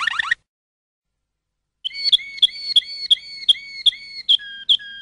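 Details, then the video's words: Waterslager canary singing; after a short burst and a pause, a series of clipped whistled notes with flute-like tones, repeated about three per second, stepping down in pitch near the end. "تغريد كناري المالينوا (الوتر سلاجر)CD Chant canari malinois"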